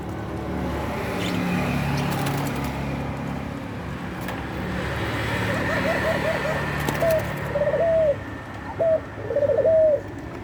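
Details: Collared dove known as puter pelung, described as wanting to mate, gives a few short rolling coos late in the recording after several seconds of broad noisy background, the notes clipped and slightly rising-falling.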